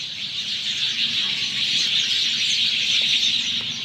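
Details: Sparrows in Sanghar, Sindh calling together after monsoon rain; a busy, high-pitched twittering swell of countless overlapping chirps that grows slightly louder midway.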